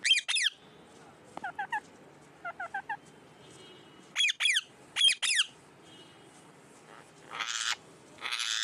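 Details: Indoor pet parrot, talking a lot, mixes shrill descending squawks with softer, lower triplets of short chirps, then a burst of three loud squawks, followed by rustling noise near the end.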